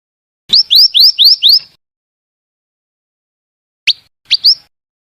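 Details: Female scarlet minivet calls, a fast run of five upslurred whistled notes, then after a pause a few short sharp chirps.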